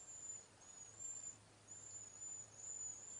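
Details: A flock of cedar waxwings in a backyard passing berries and insects, with repeated very high, thin, slightly wavering whistles in several drawn-out bursts.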